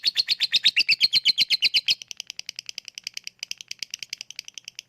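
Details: Lovebird lure for reluctant singers, 'ngetik' and 'ngekek': two seconds of loud rapid chattering pulses, then it breaks into separate crisp high ticks spaced irregularly, a few per second.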